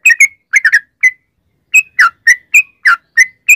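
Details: Lure song of a yellow-vented bulbul meant to prompt other birds to sing: a few bright, bubbling notes, a short pause, then a string of single and doubled liquid whistles.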